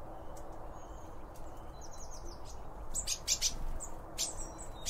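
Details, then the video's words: Eurasian blue tit calling at a bird feeder among other birds. Faint high twittering comes first, then a burst of loud, sharp, very high chirps in quick succession, over low background noise. "Bird Feeder Sounds - Blue Tits and other birds"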